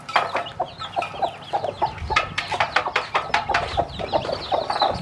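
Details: A hen teaching her many newly hatched chicks to eat: low, short clucks repeated in quick runs, with the chicks' high, rising peeps layered over them throughout.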